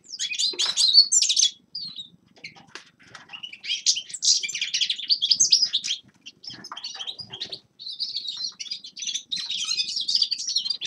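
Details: Winter song of forest birds, bursts of bright twittering and chirped phrases broken by short silences, with faint soft fluttering or rustling lower down between the calls.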